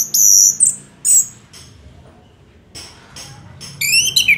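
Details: Anis merah, the Orange-headed thrush, singing a long 'gacor' tutor song: sharp high whistled notes and a brief buzzy phrase, a near-silent pause of over a second, then rapid rising and falling slurred notes at the end.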